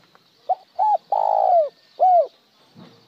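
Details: Cooing spotted dove, in the style called một hậu lỡ or trơn: a quick note, an arched coo, a long buzzy descending coo, then a clear arched final note. A soft low rustle comes near the end.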